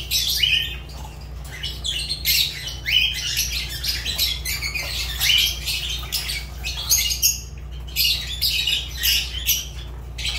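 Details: Pet Fischer's lovebird in lively, continuous chatter: rapid, high, squeaky chirps and harsh squawks tumbling one after another over several seconds, with a constant low hum behind.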